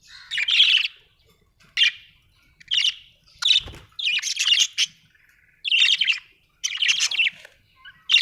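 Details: Budgie giving loud buzzy chirping phrases roughly every second, scratchy warbled bursts separated by brief pauses, with one low thump in the middle.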